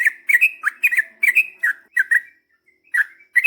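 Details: Lively yellow-vented bulbul in long-rolling song to spur other birds to reply: rapid chattering phrases of bubbly, slurred whistles tumble one after another, then thin out into a few spaced notes near the end.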